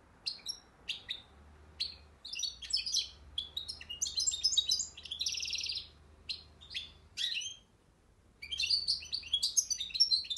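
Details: European goldfinch from Akhisar singing a cimbil-style song: bursts of bright, rapid twittering and tinkling notes with short buzzy trills, broken by brief pauses, over a very quiet background.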